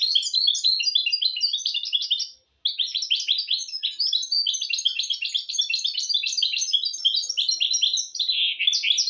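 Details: Tutor song of a goldfinch-canary hybrid, used to teach goldfinches and canaries: long bursts of fast, high, jangling twitter and buzzy trills, broken by one brief pause near two and a half seconds, ending on a rougher lower trill.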